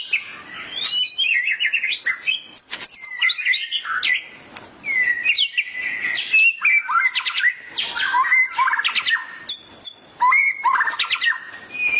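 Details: White-rumped shama in full, excited song prompted by a tutor recording; a long rapid stream of varied whistles, trills and sharp chips with barely a pause, delivered in dense, shifting phrases.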